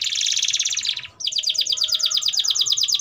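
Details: Domestic canary song used as a lure for young birds learning: two rapid rolling trills of evenly repeated notes, split by a brief silence.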